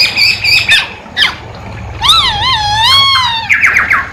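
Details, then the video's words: Poksay hongkong or masked laughingthrush in gacor song. Scratchy notes lead into a long, loud, wavering whistle that rises and dips over about a second and a half. Short, sharp chirps end the phrase. "Poksay hongkong gacor kicau poksay hongkong gacor"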